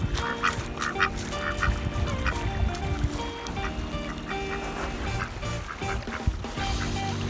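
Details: Angry calls from an Aigamo duck at play beside Lake Biwa in strong wind under light cloud: a run of brief, harsh quacks in quick succession, with gusty wind rumble and continuous music underneath.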